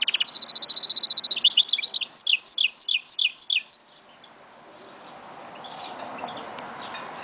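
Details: Goldfinch mule, recorded in 2011, singing: a fast, even, high trill of repeated notes, then a series of bright rising-and-falling whistled phrases, about three per second, ending abruptly before low background noise.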